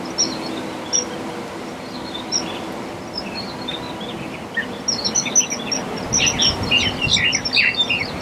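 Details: Black-collared starling: a few thin, high, isolated notes at first, then from about the midpoint a dense, overlapping chatter of squeaky and whistled calls builds up and continues to the end.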